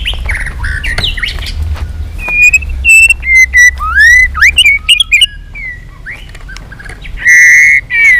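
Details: White-rumped shama's fighting song, delivered with tail flicking and many voices: quiet warbles give way to loud pure whistles, rising and falling slides, and a final long sustained whistle.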